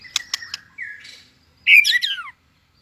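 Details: Competitive song of a tail-flicking White-rumped shama just entering breeding form: three sharp ticks, a smooth whistle, then a loud tumbling burst of rich notes.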